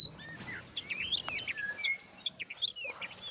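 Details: Brief burst of Oriental magpie-robin song, quick whistled twists and chirps crowded together against a noisy, hissing background.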